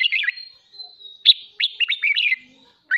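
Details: Caged red-whiskered bulbul giving morning training song meant to stimulate competitive singing; a fast warble, a thin drawn-out whistle, then a tumbling run of crisp chirps ending in another burst.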